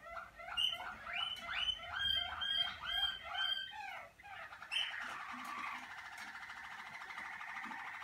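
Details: Malinois Waterslager canary warming up in a breeding-room cabin. A run of bubbling, gurgling repeated notes, about two per second, gives way to a long, even, sustained trill.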